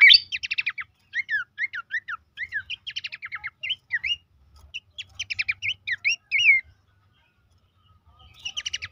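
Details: Horsfield's babbler song, played to stimulate caged birds into singing: rapid bursts of sharp downslurred chirps and short trills in quick runs, with brief pauses, ending in a gap before a final burst of chirps.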